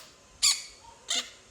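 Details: Pet quaker parrot, one of two kept by a family, gives two short harsh squawks about half a second apart while its owner asks whether it can laugh.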